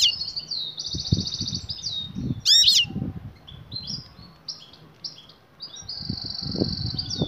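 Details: Batbata calls of a female European goldfinch summoning a male for mating. Long buzzy, finely trilled high notes are broken by one loud, sharp chirp burst, while muffled low knocks and shuffling continue throughout.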